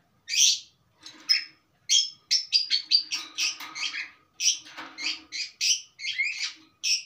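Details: Long-tailed shrike singing steadily with plenty of song material: a few harsh opening notes, then a rapid tumbling run of short chirps and buzzes that vary in pitch.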